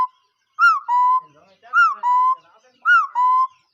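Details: A bird repeats a two-note whistled phrase, a quick rising-falling note and then a steady lower tone. There are three phrases, with faint soft background sounds between them.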